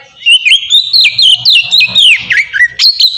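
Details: Oriental magpie-robin in ngeplong singing style, used to trigger song in other magpie-robins; continuous melodious whistling, notes bending and dropping, with crisp high chips overlaid.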